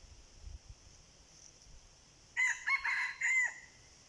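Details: Red junglefowl crowing during decoy hunting of wild junglefowl. After quiet ground noise, one loud crow breaks into four hoarse, strained sections over about a second, with low rustling before it.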